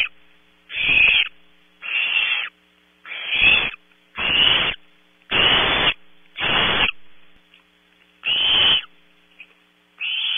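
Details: Barn owl owlets at a nest cam at Audubon Starr Ranch, California, competing for prey at 3 a.m. Harsh, rasping hisses about half a second long, repeated roughly every second, with a steady low electrical hum underneath.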